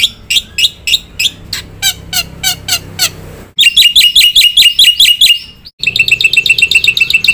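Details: Black-winged myna singing actively with varied fill-in material: rapid metallic repeated notes around four per second, shifting into fast buzzy chattering series, each block sustained for a couple of seconds.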